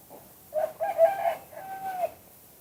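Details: Spotted dove in the two-kuk-hoi song style. A brief soft lead-in is followed by a loud, hoarse double coo and a long, clear, level hoo that drops at the end. The background is quiet.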